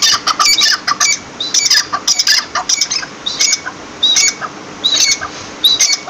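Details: Partridge keeps up a steady string of shrill whistles mixed with harsh, scratchy squawks, about two bursts every second.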